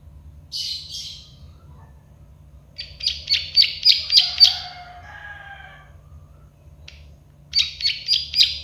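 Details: Plain prinia (prenjak sawah) singing in a tutoring recording: two short buzzy notes, then a quick chain of clicking notes over a soft lower whistle, silence, and another rapid clicking run.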